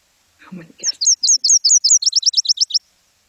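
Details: Played-back Nashville Warbler song used as a birding quiz example: a faint low murmur opens, then high, crisp repeated two-part notes giving way to a rapid, slightly lower trill of sharp descending slurs.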